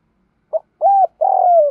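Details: Calling decoy spotted dove luring wild doves, heard as a short clipped note, a level mellow coo, then a long coarse coo sliding downward, cut off at the end.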